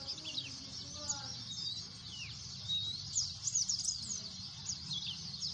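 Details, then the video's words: Noisy white-eye chorus of many overlapping high, sharp chirps and short trills, with a few lower whistled notes early on and a constant low rumble below. "pleci efek suara bising"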